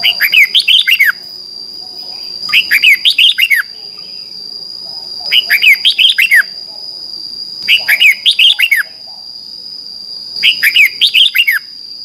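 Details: Red-whiskered bulbul morning competitive song, used as a lure to train and stimulate birds: short bursts of bright, warbled, up-and-down notes, each about a second long, repeated every two to three seconds over a steady high whine.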